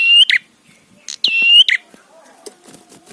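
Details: Prinia in a trapi tutor track meant to provoke rivals: one clipped buzzy phrase, then a fuller nasal buzz framed by clicks, followed by faint low chattering.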